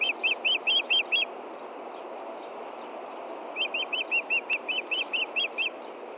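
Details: Osprey on its Montana nest, 23 June 2013 around 8 p.m., the male searching for his fish: a burst of six sharp whistled chirps, a pause, then a longer run of about twelve, over constant hiss.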